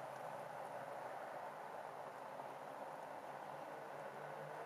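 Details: Even, hissing wash of wind and distant traffic in a park at a winter sunset, with no animal calls heard.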